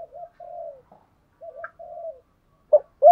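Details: Decoy spotted dove giving soft, low cooing phrases in the thúc gù style: quiet wavering coos, a short gap, more muffled coos, then a sudden loud note cut off at the end.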